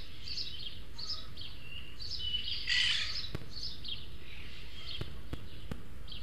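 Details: Three juvenile Eurasian magpies at a webcam feeder in Madrid's Retiro park garden, the less developed pair begging from the third. Grating, noisy chatter in quick bursts, one louder harsh screech mid-way, with faint clicks and background hum.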